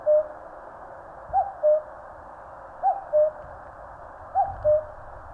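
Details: Mountain recording from Korea of a common cuckoo repeating its falling two-note call about every one and a half seconds, three full calls plus the tail of another at the start.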